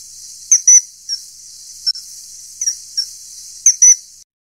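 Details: Common kingfisher (Alcedo atthis) with sharp, thin high whistles, some doubled, scattered through a few seconds over constant background hiss.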